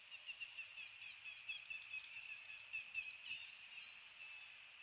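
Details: Bald eagle at a nest watched by a live cam in northeast Florida, 7:04 am on 29 February 2020, as a still-living fish is brought in: a string of short, high chirped notes, evenly spaced, over a steady hiss.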